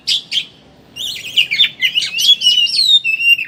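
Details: Kacer, oriental magpie-robin, in ngeriwik chattering style, played as a lure to get birds singing: two short buzzy notes, then a fast run of twisting, warbling whistles and chatters without a break.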